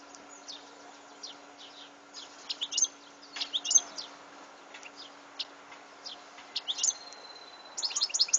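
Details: European goldfinch song from 2014: scattered high twittering notes and quick downward ticks, with a thin sustained whistle near the seventh second and a denser burst of chattering at the end, over a steady low hum.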